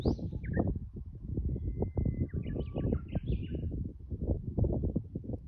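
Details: Japanese bush warbler singing on Mount Yahiko: a long, steady whistled note, then a quick jumble of higher, twisting notes, over heavy low rumbling and thumping noise.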